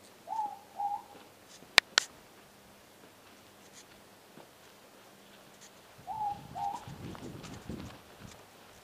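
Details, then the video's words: Morepork (ruru) calling outdoors not far away, found while being searched for; its two-note hooted 'more-pork' call given twice, about six seconds apart, with a couple of sharp clicks and some rustling between. "Ruru, the morepork sound."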